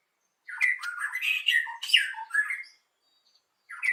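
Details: White-rumped shama song in the morning, used to lure birds: a dense two-second burst of harsh, squawky warbling and chattering notes, then silence and a brief final note.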